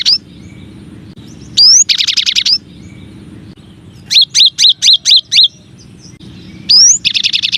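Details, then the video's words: Cinereous tit masteran song, one of nine variations: a rising whistle, then a fast buzzy rattle, and later a run of six clear two-part whistled notes, with another whistle leading into a rattle at the end. "Suara Masteran Burung Gelatik Batu Atau Gelatik Wingko 9 Variasi"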